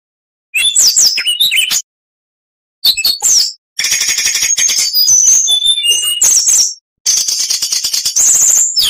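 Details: Kacer, the oriental magpie-robin, singing a full training song: bursts of harsh chattering and rapid rattles alternating with clear high whistles, broken by two silent gaps.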